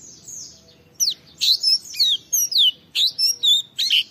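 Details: Song of an Oriental white-eye used to provoke rival white-eyes into answering: a string of separate high sweeping whistles, some rising and some falling, delivered about once every half second after a brief quiet start.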